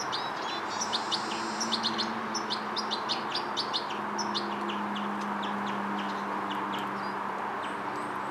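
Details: European goldfinch fledgling learning motor control and coordination: bursts of short, high, sharp twittering notes in irregular clusters, over a steady loud hiss of background noise.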